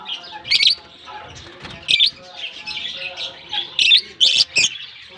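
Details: Flock of lovebirds exploring their colony after release in Germany in warm summer weather, giving busy high-pitched twittering with several loud piercing chirps standing out every second or so.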